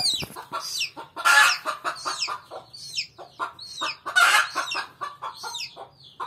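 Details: Angry mother hen protecting her chick from a person: harsh, rapid clucks and grating squawks, with two loud bursts, mixed with high, thin descending peeps throughout.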